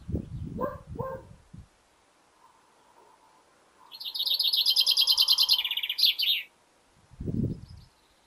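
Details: Male chaffinch singing in a garden in spring: one rapid trill of repeated bright notes, stepping downward and ending in a short flourish, lasting about two and a half seconds, with low thumping noises before and after.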